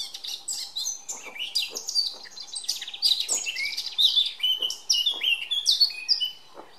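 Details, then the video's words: A male Eurasian blackcap sings a fast, rich warble of varied high notes, scratchy phrases mixed with clear fluty whistles, running on without pause. "Jak zpívá černohlávek"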